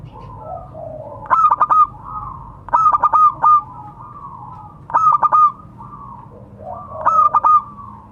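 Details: Zebra dove, local type, calling companions; the recording serves as a lure. Four rhythmic phrases of three or four rapid staccato coos end in a bright held note, with gentle lower cooing from other doves between the phrases.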